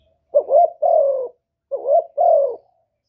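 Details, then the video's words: Spotted dove decoy in the one-ending coo style, giving two phrases: a wavering rising note, then a sustained mellow coo drifting lower, with clean silence between. "TIẾNG CHIM CU GÁY 1 HẬU RÒNG BỔI CỰC GHÉT, CU GÁY KÍCH BỔI CỰC CHẤT, TIẾNG TIẾNG CHIM MỒI"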